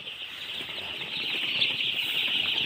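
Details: Many baby chicks cheep together in a steady, thin, high-pitched wash of overlapping peeps that swells slightly toward the end.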